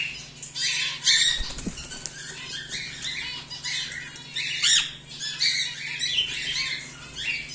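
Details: Home-bred cockatiels, including a whiteface emerald and an exhibition grey male, give repeated harsh, buzzy squawks with bright upper overtones, in rapid bursts with a steady low hum beneath.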